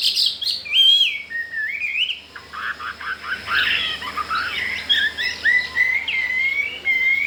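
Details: Song of a newly arrived wild-caught Chinese hwamei kept in a cage and wanting to breed: bright whistles, a jumble of quick chips, then long, wavering, sliding whistled notes.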